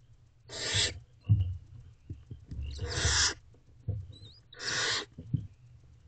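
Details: A nest box after midnight where a female barn owl feeds herself and her owlets: three long rasping screeches roughly two seconds apart, a faint thin whistle between them, and soft shuffling and tapping underneath.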